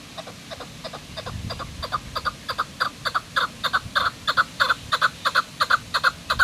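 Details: Chukar (chakor) calling at Kachai Gulistan on 21 April 2020: a rapid, steady series of harsh clucking notes, about three per second, that grow louder and more emphatic as the sequence runs on, over faint low background rumble.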